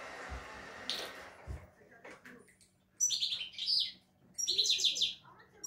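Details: European goldfinch, an owner's bird praised for good 'şak şaklı' song without faults, giving short bursts of high, rapid twittering and buzzy trills after an opening of murmured room noise.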